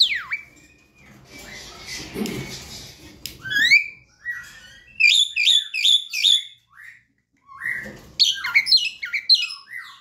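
A young Javan myna gives quick runs of squeaky, chirping notes in bursts, with rising and falling whistles and a harsh, noisy passage early on.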